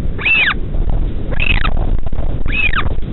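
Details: A northern royal albatross chick is fed by a parent in the middle of the night at the Pukekura/Taiaroa Head colony, Dunedin, New Zealand. It gives three high, arching, whining cries about one second apart over a heavy wind roar.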